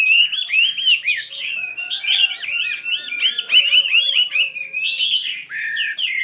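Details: Continuous varied song from a 72-gram fighting Chinese hwamei practising in the morning: dense, fast whistled loops and warbles running without pause, shifting tone throughout.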